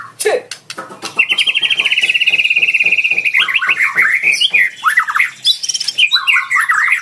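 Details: Lure song of a fighter white-rumped shama, aimed at drawing a rival to sing along; a steady rapid pulsed trill holds level for about two seconds before breaking into jumpy, slurred whistles and chips.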